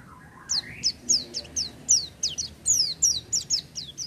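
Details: Oriental white-eye singing hard (gacor) without doping: after a brief low rising sound at the start, a series of thin, high, downward-slurred chirps follows, closely spaced and somewhat irregular.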